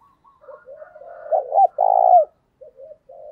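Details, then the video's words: Decoy spotted dove coo meant to trigger other doves' calling: quiet low coos lead into one loud phrase of two short hooked notes and a sustained buzzy note falling at its tail, then more faint soft cooing. "Chim Cu Mồi, tieng cu gay kich boi nhanh noi gù"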